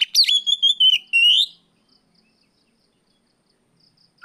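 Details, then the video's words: Oriental magpie-robin singing in the afternoon, used as a lure to train other birds: a short, clear whistled phrase of bright slurred notes ending on a rising sweep, followed by near silence. "suara Kacer sorehari riwik plong pancingan Kacer bahan"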